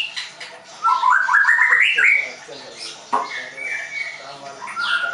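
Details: White-rumped shama, a caged bird trained at a bird school in Tangerang, singing a varied phrase: a buzzy rising trill climbing in pitch, then short whistled notes and a sliding whistle after a pause.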